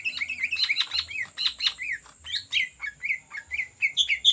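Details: Greater green leafbird singing energetically in the ngetrok style, a recording meant as a lure: quick chirped and slurred whistles, many swooping downward, pour out in an unbroken run of about four notes a second, with a steady faint high tone behind.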